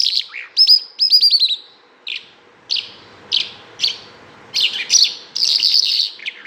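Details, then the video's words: Bimaculated lark singing a varied sequence: fast clear whistled notes in a quick run, then single short chirps spaced about every half second, ending in dense buzzy twittering. "bimaculatedlark singing"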